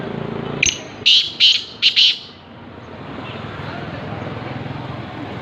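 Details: Black francolin call: a short sharp high note, then three loud grating, buzzy bursts in quick succession over about a second and a half, with low traffic-like rumble behind.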